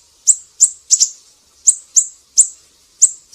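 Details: Siri-siri bird singing briskly for songbird tutoring: about eight sharp, high chirps, a few in quick pairs, spaced irregularly around a third of a second apart.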